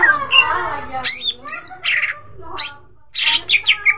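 Greater green leafbird in a loud, varied song: quick slurred whistles and sweeping notes mixed with harsh, buzzy bursts, delivered in short phrases with brief pauses.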